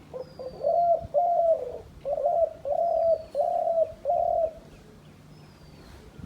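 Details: Dove kept as a hunter's decoy bird, giving a run of six low, hoarse cooing notes in quick succession, each about half a second long, with faint thin whistles of other birds high above.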